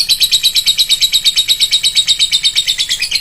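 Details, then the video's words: Lovebird lure sound with a shrill voice: a rapid, even stream of high, sharp chattering notes, about three per second, each note bright and buzzy, continuous from start to finish. "pancingan burung lovebird, suaranya nyaring"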